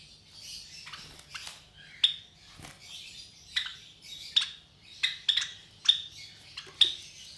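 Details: Java sparrow chicks about 23 days old, three hatched from four eggs, offspring of a white Java sparrow pair kept indoors; harsh, buzzy chirps at irregular intervals with sharp peaks, a low hum underneath.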